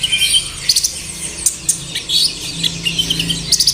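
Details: Sunbird song meant to coax captive birds to sing: quick strings of very high, thin chirps and tinkling twitters, with short pauses between clusters and a quiet low hum underneath.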